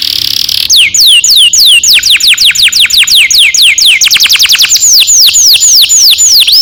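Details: Long rolling canary song, played as a training lure for young birds: a brief high tone, then a steady run of clear downward-sweeping whistles, about three per second, speeding into quicker, higher repeated notes.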